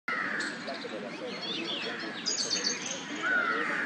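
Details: Rose-ringed parakeets feeding on flower buds in Nehru Park in spring give harsh, scratchy chatter and a few high, shrill squeaks, overlapping in a busy jumble against steady outdoor background noise.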